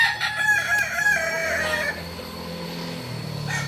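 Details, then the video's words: Kokok Balenggek rooster from Solok, West Sumatra, a breed with tiered crowing: a crow with wavering harmonics fills the first two seconds, then fades into low background hum with a faint call at the end. "Ayam kukuak balenggek ayam asli solok sumbar"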